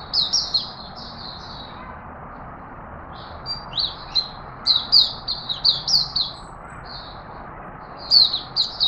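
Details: Singapore Straw-headed bulbul, a healthy caged bird, singing on 11 September 2020 to announce its presence; loud liquid warbled notes in short bursts, a quiet gap in the middle, then dense repeated downslurred whistles.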